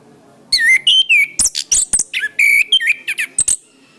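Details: Orange-headed thrush song from a master recording for training cage birds: loud, varied whistled phrases, quick slurred notes and sharp high chips in rapid succession, some rising and falling, with brief gaps between bursts.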